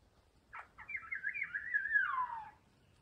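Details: Maroon Oriole, subspecies ardens, during chick feeding: two short downward-slurred notes, then a long wavering, nasal, slightly buzzy note that slides gradually lower and fades; quiet background otherwise.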